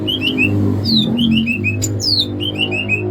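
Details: Banyuwangi greater green leafbird from Alas Purwo, Indonesia, singing bebeciu: repeated phrases of three or four descending whistled notes broken by a sharp downward-sweeping whistle, over a loud low hum.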